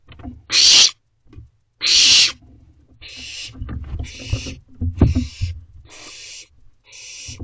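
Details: Owlets in a nest box around midnight, early June: two loud rasping hisses open, followed by several softer, thinner hissing screeches over a steady background of low bumps and scraping movement.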